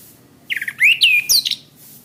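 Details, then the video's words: Orange-headed thrush song from a master recording for training cage birds: quick chattering notes lead into two loud, clear downslurred whistles and a high squeaky ending. "Suara Bunyi Masteran Anis Kembang"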